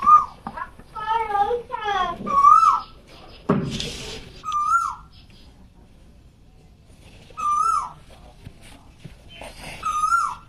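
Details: On a spring morning an Asian koel, heard from indoors through a window, gives clear, mid-pitched whistled notes that rise then drop, repeated every few seconds, with a person talking indoors and a brief rustle.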